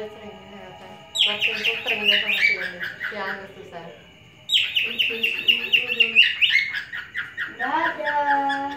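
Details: Captive male cockatiel teasing a female with whistling: two bursts of rapid chattering, warbled notes separated by a quiet pause, the second ending in lower, drawn-out whistled tones.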